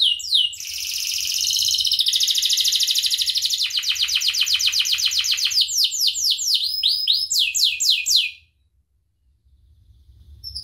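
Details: Canary song used as a training recording for teaching other birds: a fast buzzy trill high up, then rapid repeated notes, then a run of sweeping downslurred whistles, ending in near silence.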